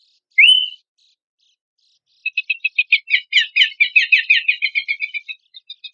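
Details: Pelanduk semak from a compilation of training material for competition songbirds. A single rising whistle slurs upward, then after a pause comes a rapid, dense run of buzzy, chattering notes lasting about three seconds. No other sounds.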